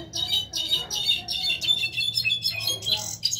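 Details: Brown-backed solitaire (Myadestes occidentalis), a captive bird from 2020 that the owner calls a jilguero and keeps among six, sings a rapid, tumbling string of high, metallic, flute-like notes in quick bursts over a faint low hum.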